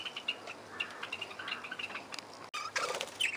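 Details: Aviary parakeets give quick, high chirps and tweets in irregular clusters. Fluttering wings and a brief gap are heard midway, then a louder flurry of chattering calls follows.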